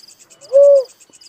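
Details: Little cuckoo-dove uttering one steady, hollow note of about a third of a second, backed by faint rhythmic insect chirping.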